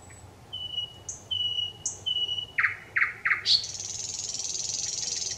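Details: Thrush nightingale singing on 25 May 2021: long pure whistles repeated three times, each followed by a high note, then three hard clicking notes and a long, loud, rapid high rattle.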